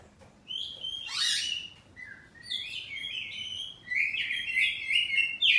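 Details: Ngeplong-style singing from a home-kept kacer poci oriental magpie-robin in an exchange of phrases. Strong slurred whistles with a sharp burst of noise, then a long run of lively warbling that grows louder toward the end.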